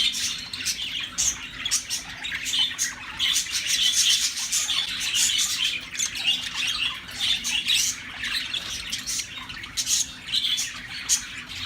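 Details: Four pet English budgerigars (Melopsittacus undulatus), including a white male, chatter continuously with scratchy, warbling chirps and squawks in Tulsa, Oklahoma, USA, in June 2019.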